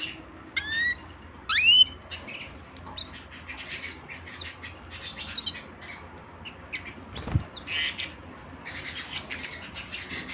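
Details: Canary indoors giving a few loud rising whistled notes early on, then scattered short chirps and squeaks with quiet gaps, one sharp knock midway, and a low background hum.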